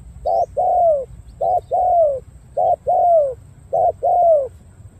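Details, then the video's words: Spotted dove from Cà Mau, Vietnam, giving four rhythmic coo phrases. Each has a brief clipped note, then a drawn-out soft coo that sags in pitch at the end, with a faint low rumble behind. "Đồng gù bài bản tốt"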